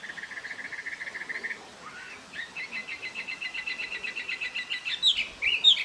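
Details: Taiwan hwamei recorded in Jianshi Township, Hsinchu, Taiwan, in April 2024: an even rapid trill of short notes, a brief pause, then a fast repeated series of bright notes building to sharp whistles.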